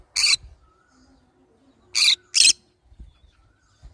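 A green-cheeked conure gives three harsh, broadband screeches, one early and a quick pair near the middle, over a quiet background with faint low thumps.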